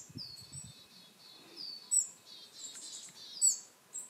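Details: Calls of a willow tit: long buzzy, hoarse notes with two sharp high chips, somewhat quieter and more blurred than close calls; low rumbling noise at the start.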